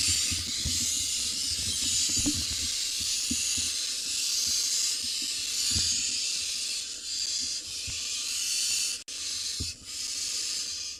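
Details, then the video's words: Harsh, almost unbroken rasping hiss from a wild barn owl nestling in a nest box while it gobbles down a bird its sibling tried to steal, briefly cut off near the end, with soft scuffling beneath. "Barn owl nestling gobbles down a bird after its sibling tried to steal it."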